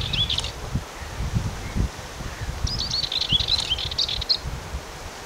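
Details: Dartford warbler, 6 June 2019: a brief scratchy note, then a rapid, dry, chattering warble lasting under two seconds, over steady low rustling and wind noise.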